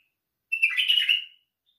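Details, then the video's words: A single rich, chattering phrase from a white-eared bulbul, dense quick notes about three-quarters of a second long, ending in a slightly drawn-out tail, against silence. "تالق البلبل السيحاني"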